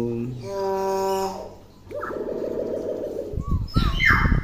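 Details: Tame pet common hill myna in Indonesia, a clever talker that copies many words, gives a steady nasal harmonic tone, then a buzzy drawn-out note, ending with short rising whistles over faint room noise.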